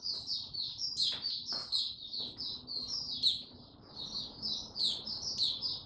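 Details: Male white-eye, 6 March 2022, gaining confidence before opening into song: an almost continuous run of high, rapid chirps and thin warbles, a few sharp accented notes standing out.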